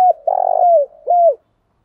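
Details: Decoy spotted dove cooing to provoke wild rival doves into answering and fighting: a low hollow coo, a longer throaty rolling note, then a final falling coo, the whole phrase about one and a half seconds, in clean silence.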